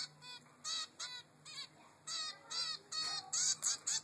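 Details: Three-week-old zebra finch chick calling for food from its mother: about ten short nasal calls in uneven rhythm, growing louder and more crowded toward the end.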